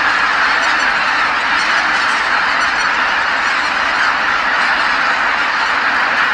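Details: At Kabukuri-numa marsh after sunset, tens of thousands of geese call all together while flying in from feeding; loud, continuous layered honking wrapping the whole marsh.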